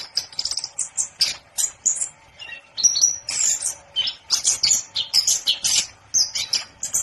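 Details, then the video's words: Orange-headed thrush (anis kembang) in full, busy song: rapid varied phrases of high whistles, chips and trills packed closely together with short gaps, sometimes overlapping. "10 Burung Anis Kembang Yang Super Gacor"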